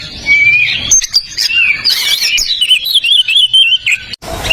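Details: Tutor song of an Oriental magpie-robin (kacer) for birds that have stopped singing: a long whistled note, then a quick rippling, warbled run of chirps and trills.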